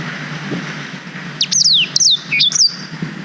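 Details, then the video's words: Black-throated canary (Blackthroat) singing a brief, quick phrase of high, clear whistles with sweeping down-slurs and short rising notes, over a low traffic hum; a long-duration song used as a master recording to tutor young canaries. "Suara Blackthroat Durasi Panjang Untuk Masteran Kenari"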